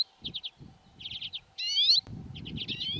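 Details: Water pipit in the Hrubý Jeseník mountains of the Czech Republic giving short runs of three or four high ticking notes, then a longer buzzy rising sweep, with low rumbling noise beneath.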